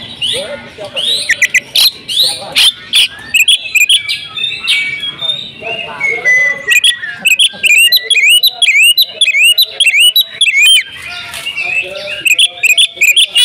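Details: Female oriental magpie-robin, a kept house bird, singing loudly and persistently with varied mimicked phrases: rapid run of high, sharp whistled notes and buzzy trills, rising and falling slurs repeated in quick bursts.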